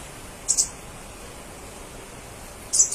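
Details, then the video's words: Crimson sunbird sounding off to provoke other crimson sunbirds to respond: two short, very high, sharp chirp bursts a little over two seconds apart, otherwise only a quiet hiss. "BURUNG KOLIBRI SEPAH RAJA GACOR, 100% SEPAH RAJA LAIN PASTI NYAHUT"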